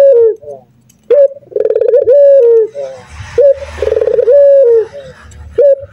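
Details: A local male spotted dove coos repeatedly, with short clipped hoots followed by throbbing low phrases and a long drawn-out note that drops at its close, plus faint soft background noise.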